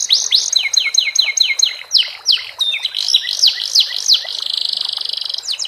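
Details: Canary with sikatan londo fill in its song: a quick series of paired falling whistles, looping slurred notes, rising-and-falling zigzag phrases, then a fast even rattle and a final descending sweep.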